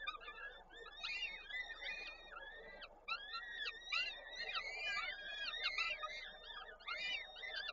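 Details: Peregrine falcon nest in Koszalin, Poland, 13 May 2022, during feeding of the chicks with delivered prey. Dense overlapping arched, wailing calls run almost continuously over a steady low hum.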